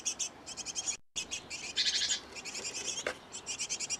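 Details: Great tit pair busy feeding nestlings at a nest box; rapid high chirps come in short bursts throughout, broken by a brief gap near one second and a soft click around three seconds.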